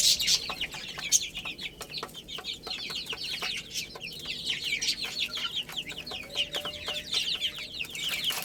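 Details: Many little chicks playing and eating, with a steady chorus of high, thin peeps that slide downward, overlapping without pause. Sharp clicks and taps are scattered throughout.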